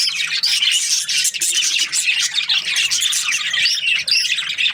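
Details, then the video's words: Loud, dense twittering of many budgies in the morning, high chirps and warbles overlapping continuously with barely a gap. "Amazing budgies chirping sounds in the morning"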